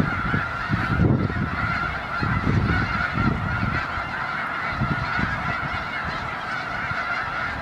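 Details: Large winter congregation of snow geese in Skagit County, Washington: a dense, unbroken chorus of overlapping high honks and yelps from many birds, with bursts of low rumbling wind or handling noise throughout.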